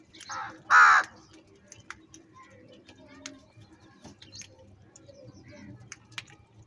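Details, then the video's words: Crows fighting for food: a soft harsh note, then one loud, raspy, drawn-out caw near the start. Light ticking and background murmur fill the rest. "Different kauwa ki awaz - Crow bird live Crowing sounds | Crow bird Fight for Foods"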